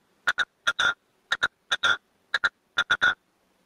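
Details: Caged male red-legged partridge used as a decoy, singing its 'canto de mayor' of four to five beats to call wild partridges in the field: clipped triple phrases, two short chucks then a longer harsh note, about once a second, quiet background.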